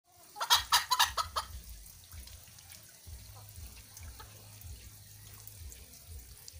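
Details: A bantam (ayam kate) chicken gives its characteristic shrill "betok, betok" call, a quick burst of sharp, rapid clucks, then falls quiet over a low background rumble.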